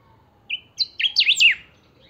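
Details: Saffron finch (chiviro) giving a pica song, meant to stir other chiviros into singing: a single high note, a pause, then rapid piercing slurred notes rising in loudness to a shrill flourish, in near silence.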